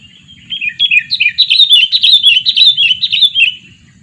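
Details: Two-year-old sooty-headed bulbul kept for luring birds: a clear three-second run of loud, quick warbling notes, each slurred downward, in a steady chattering stream.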